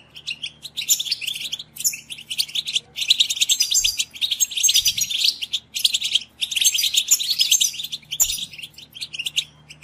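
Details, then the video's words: Goldfinch stimulation singing for captive European goldfinches: long dense phrases of rapid twittering, tinkling trills and buzzy notes, separated by short pauses. "STIMULATION SINGING for GOLDFINCHES"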